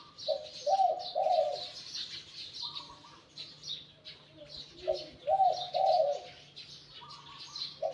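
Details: Wild-caught spotted dove kept as a decoy bird, its voice described as medium to large. It gives repeated low cooing phrases of two or three hollow notes, with high chirping of other birds behind.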